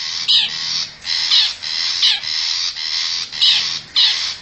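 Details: Forest-dwelling wild long-tailed shrike in a lure recording meant to attract wild birds: grating, scratchy broadband squawks in bursts of roughly half a second, separated by brief gaps.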